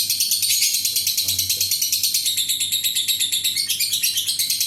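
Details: Adult fighter lovebird delivering a long ngekek, the sound used to lure other lovebirds into singing. It is a dense, harsh, high chattering trill of rapid pulses, several per second, running unbroken through the whole stretch.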